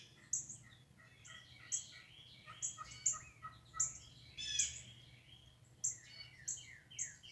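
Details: Several wild turkeys in a yard on 22 March 2019, tagged as mating, give sharp, high, rattling calls in quick bursts about every half second to second, overlapping, over a quiet background.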